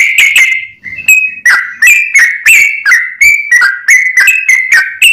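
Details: Lure recording of a sooty-headed bulbul: clear whistled notes, some rising and some falling, repeated about three times a second in a lively, uneven series.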